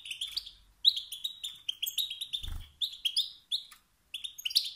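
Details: Male European goldfinch giving rousing chirps and twitters that incite rival males to sing; quick, bright notes in tight sequence, a single low thump in the middle.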